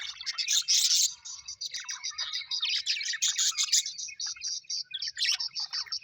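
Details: Happy pet budgies produce loud, fast, rhythmic chattering: dense buzzy warbles at first, then evenly pulsed chirps repeated several times a second.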